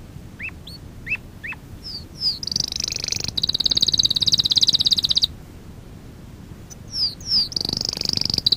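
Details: Domestic canary singing as a training lesson for young canaries: a few short rising whistled notes, then a long, rapid, high buzzing trill lasting about three seconds. After a pause come more whistled notes and another fast trill, over a low background hum.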